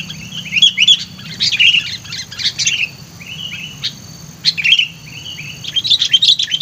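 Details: Decoy sooty-headed bulbul, lively and vocal: repeated bubbly, fluty chirping phrases in bursts with brief pauses, warbling notes at mid-high pitch, steady faint low hum and a thin high tone beneath.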